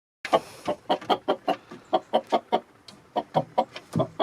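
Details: Hens pecking about in the snow alongside roosters, giving a steady series of short, clipped clucks, roughly one every fifth of a second, with brief gaps; no other clear sounds.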